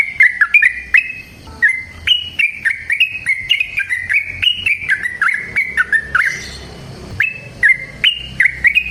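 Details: Long rapid 'ropel' song of a yellow-vented bulbul in natural surroundings: many short liquid phrases, each a warbled dip and rise, strung together for several seconds with a pause near the end.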